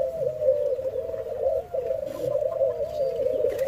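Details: Jamaican white-crowned pigeon being hand-fed, giving a low, moaning coo held almost without a break, wavering slightly in pitch, with faint background rustle.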